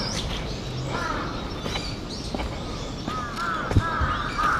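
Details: Crow giving calls said to be an earthquake warning, recorded 4 November 2015. Harsh, arching caws come irregularly over a steady low background rumble.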